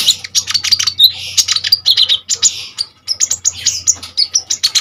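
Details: Common iora in full, energetic song used as a tutor for other songbirds: a dense, continuous stream of high sharp chips, short whistles and buzzy trills, delivered rapidly with only one brief break.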